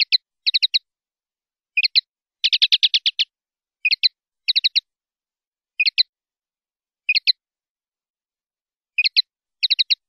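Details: Common linnet singing a clean-style song, 2019/2020 recording: a steady run of short twittering triplets, with one brief rapid trill of about eight notes in the middle and nothing else audible.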